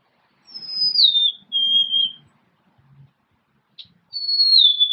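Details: Golden-crowned sparrow song: a high whistle drooping into a lower held note, followed by a second flat whistle. After a short gap, another high sliding whistle begins, with soft low knocks in between.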